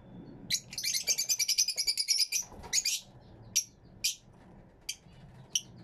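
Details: Fischer's lovebirds kept in an aviary, captured with two external microphones: a fast rattling run of high squeaky chirps for about two seconds, followed by scattered single shrill notes.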